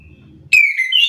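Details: Faint low hum, then an Orange-headed thrush bursts into agitated answering song with a ringing whistle that falls slightly and rises again at the end.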